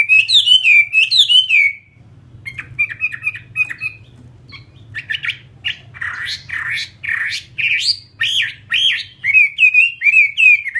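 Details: Fighting Chinese hwamei singing bouncy, looping whistled phrases, then short clipped notes, a burst of harsher rasping calls, and a return to fluid repeated whistles, over a soft low hum.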